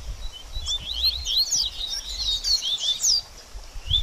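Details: Double-collared seedeater baderninha song, used to warm up a bird after moulting: softer, blurred high twittering with a few clear slurred notes, over noticeable low background noise.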